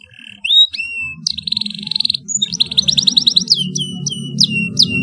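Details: Domestic canary in full, loud song mixing whistled sweeps, buzzy trills and clipped repeated notes, over a steady low background hum.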